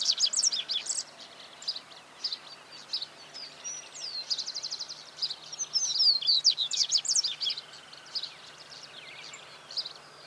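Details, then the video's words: Double-collared seedeater (Sporophila caerulescens) recorded in 2018, singing bursts of high, quick twittering notes with rapid trills and sliding whistles, in uneven phrases separated by short pauses. "Cantos Corbatita común Sporophila caerulescens"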